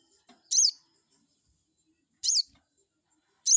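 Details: Crested jay calling to provoke a rival into replying: three loud, shrill, slightly buzzy high notes spaced more than a second apart, otherwise quiet.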